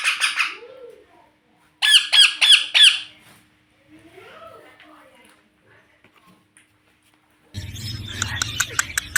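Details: Baby Indian ringneck parakeet kept as a pet, described as talking; short bursts of rapid, harsh repeated notes, about three per second, in two runs separated by quiet, then a noisier, crackly stretch at the end.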